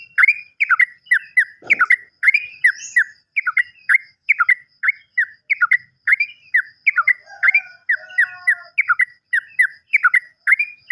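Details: Lure recording of Yellow-vented bulbul meant to get silent birds singing: a steady run of short, liquid, chirpy notes in twos and threes, almost continuous across the clip.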